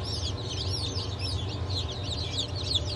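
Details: Freshly hatched chicken chicks (Blue, Light Brahma, Wyandotte, Sebright, Legbar) from a 07.07.2023 hatch peep in loud, looping up-and-down notes, many at once, over a low continuous hum.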